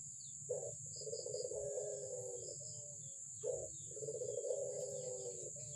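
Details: An albino Barbary dove gives two long, low, steady coos, each starting with a brief abrupt note and then holding level for over a second, with a continuous thin high hiss behind it.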